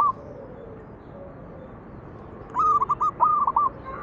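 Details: Zebra dove manggung song for luring other doves: quiet for two seconds, then two rapid bursts of staccato, rolling cooing notes close together.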